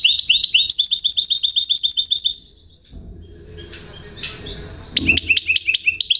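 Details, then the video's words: A caged-style goldfinch hybrid sings a rapid series of high, metallic chirps for over two seconds, falls silent amid low background noise, then resumes with sharper repeated notes. "chant mulet de chardonneret"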